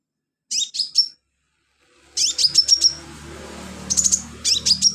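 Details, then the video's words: Sunbird song meant as tutor material for training cage birds: a few piercing high chirps, a pause, then quick strings of thin, sharp, high-pitched notes in clustered bursts. "BURUNG KOLIBRI/CONIN GACOR buat isian"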